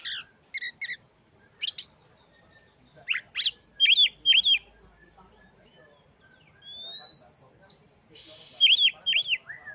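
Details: Oriental magpie-robin delivering a lively, varied song to stir other magpie-robins: short chattering notes, paired crisp whistled downslurs, a long rising whistle, and a final loud cluster of whistled phrases.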